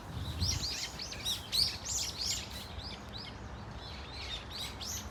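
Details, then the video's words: Flocking Brown-eared Bulbuls at Dunsan Grand Park give loud, harsh, arching squeals in rapid overlapping bursts, strongest in the first two seconds and then softer and sparser, with faint low hum. "직박구리 무리 다양한 울음소리 Brown-eared Bulbul sound of crying"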